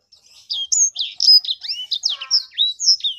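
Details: Sanger bird delivering a steady series of clear, high whistled phrases, some sweeping upward, others dropping, at a brisk, uneven pace.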